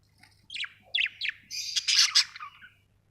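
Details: Budgerigars chattering: a quick run of bright, high chirps and squeaky warbling notes, becoming denser and scratchier toward the middle, in a quiet setting.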